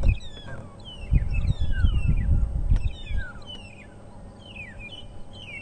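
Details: Long-tailed shrikes calling on a windy November sunrise safari drive, Africa: thin, slurred, strange whistles, many falling or rising, in quick overlapping phrases over low wind rumble and a man's voice.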